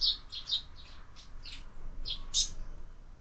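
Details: High, short chirps from sparrows feeding at a feeder fixed to a window at lunchtime, scattered irregularly through the stretch, some louder and closer, over a soft low background hum.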